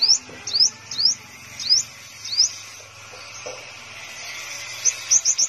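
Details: Sunbird in a cage in Đồng Nai province, Vietnam, locally a five-colour sunbird, giving sharp high upslurred whistles in pairs and singles, then a pause before a rapid cluster of similar rising notes, with a low background hum.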